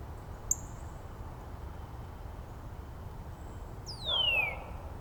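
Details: Northern Cardinal in Angrignon Park, one of several neighbouring cardinals singing variants of sliding song themes to each other; a single loud, clear whistle slides steeply downward, with a brief high thin note earlier and light background hiss.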